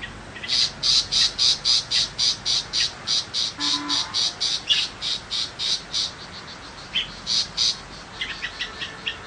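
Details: Tiger shrike, a small non-mimicking shrike now common, in the countryside. A long, steady, rasping chatter of about four harsh notes per second runs for six seconds, then fades into looser, softer chips.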